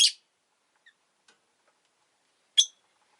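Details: Rosy-faced lovebirds, two birds huddled at an entrance, give two loud, harsh, scratchy chirps about two and a half seconds apart, with a few faint ticks between them.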